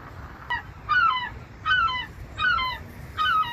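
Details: Seagulls calling with the ocean behind: loud nasal, down-slurred squeals with rich harmonics, five in a row, each dropping in pitch and repeated a bit faster than once per second, over soft low wave noise.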